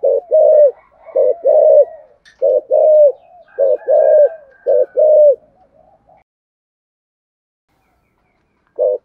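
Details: Spotted dove used as a decoy to call in wild doves, giving the urgent "thúc gù" cooing style in a local voice: low, soft hooting coos in quick paired and triple bursts, then a pause with a faint note at the end.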